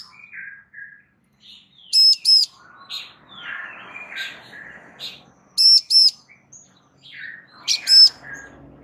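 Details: Bar-winged prinia female summoning a male to reply, with three bursts of loud paired buzzy notes spaced a few seconds apart, interleaved with softer chirping and twittering from other birds.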